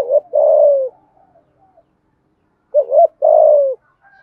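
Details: Urgent cooing of a spotted dove in the 'giọng thổ' voice, aimed at provoking a rival: two phrases about two and a half seconds apart, each a short wobbling pair followed by a sustained sinking coo.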